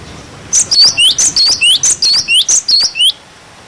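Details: Cinereous tit singing, used to teach young birds: a steady series of about twelve bright, high whistled notes, each a quick up-down slur, repeated evenly over two and a half seconds.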